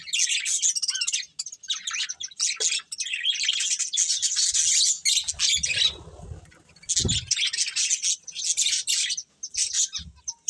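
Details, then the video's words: Several colourful budgerigars chatter while eating, a continuous run of high, raspy warbles and chirps for about six seconds, a short lull with low rustling and a thump, then more bursts of chirping. "Colourful Budgies Chirping Sounds | Love Birds Eating"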